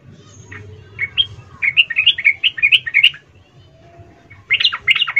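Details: Female sooty-headed bulbul calling the male, used as a lure for lazy males: bursts of rapid, bubbly chirping notes around a bright mid-high pitch, a pause, then a fresh quick burst.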